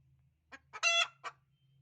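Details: Egg-laying hen making noise: a short cluck and a second cluck lead into a loud, rasping, sustained cackle, then one more cluck. A steady low hum sits in the background.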